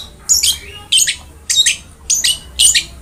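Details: Long-tailed shrike, vigorous singing meant to stimulate a lazy shrike: five harsh, scratchy double-noted squawks, evenly spaced roughly every half second.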